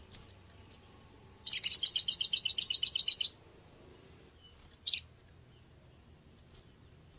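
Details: Sunbird call for luring birds: a few isolated high, sharp chirps, then a fast, even trill of rapid high notes lasting nearly two seconds, followed by more single chirps spaced well apart; no other sounds.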